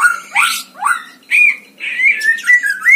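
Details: White-rumped shama heard at a songbird contest, used as tutor song for training birds: loud swooping whistles that rise sharply, then a run of bright, varied whistled notes.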